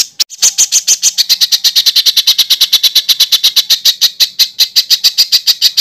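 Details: Master recording for training competition birds: a long, fast, even chatter of high clipped notes, very rapid and regular throughout.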